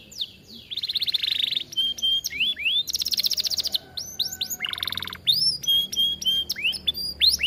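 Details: Vigorous canary in an aviary, recorded for tutoring other canaries: buzzy roll, level whistles with hooked endings, a high rattling trill, a lower buzzing roll, then bright whistled upslurs and chirps.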